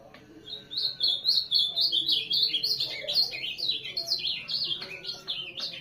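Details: Azulão, the ultramarine grosbeak, delivering a continuous rapid warble of high, clear zigzagging whistled notes at about four per second, lively and unbroken, over a low steady hum.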